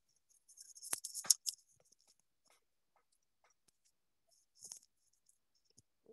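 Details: Only brief scratchy rustles and scattered clicks in a quiet room, like paper or objects being handled, with no animal calling.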